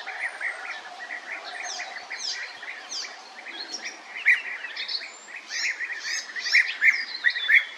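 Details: European bee-eaters (Merops apiaster) give flight calls: rolling, liquid 'prruip' calls overlapping from several birds, with higher thin chirps mixed in and a soft outdoor background.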